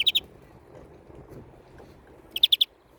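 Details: Greenfinch calling: a clear double chirp at the start, then silence, then a fast run of four sharp, evenly repeated notes near the end over quiet low hum.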